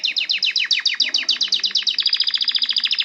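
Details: Canary singing a fast rolling tour of sharply descending whistled notes, about four per second, slightly quickening toward the end, clear and loud with little background.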